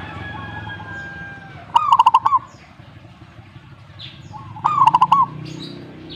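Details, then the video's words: Zebra dove answering, two rolling phrases of quick soft coos spaced about three seconds apart, with faint longer tones and high chirps of other birds in the background. "perkutut jika nyaut"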